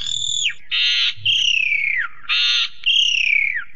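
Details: Asian pied starling song with a full fill-in repertoire: harsh buzzy rasping blocks alternate with long, loud whistles that slide downward, in a steady back-and-forth pattern. A faint low rumble sits underneath.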